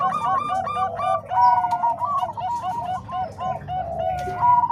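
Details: Combined Bangkok and Cemani Kolbuntet zebra dove song for training other doves. Quick, looping coo notes from several birds overlap, with a drawn-out steady tone near the middle and a bright phrase at the end.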